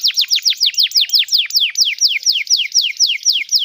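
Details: Singing canary, used as a tutor for young birds learning song: a rapid run of sharply descending whistled slurs, repeated about twice per second in a steady rolling series.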